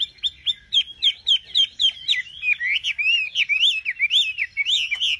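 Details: Nightingale singing: a fast run of short, sweet whistled notes with rising and falling slurs, repeated about twice a second in a steady chattering phrase, with a faint low hum underneath.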